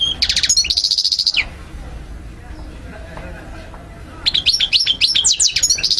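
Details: Goldfinch singing a recording meant for teaching young birds: a quick run of high twittering notes and a buzzy trill, a long quiet gap with faint background hum, then a burst of rapid liquid chirps.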